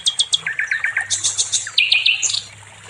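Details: Nightingale, the sikatan londo, with a varied training song for songbirds: a few high chips, then a run of lower clipped notes, shifting to higher whistled phrases and a final burst of rapid high notes.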